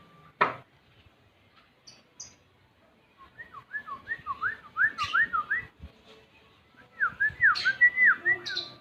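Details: Male Javan grey-throated white-eye delivering wavy, whistled phrases of quick up-and-down notes in two runs, opening with a sharp click, with occasional high chips over a low background hum.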